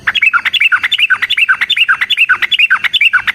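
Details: Yellow-vented bulbul singing its 'gacor tarung ropel panjang' song, a lure for prompting other birds to answer: dense, bubbly, rapidly repeated chattering phrases with rising and falling notes, steady throughout.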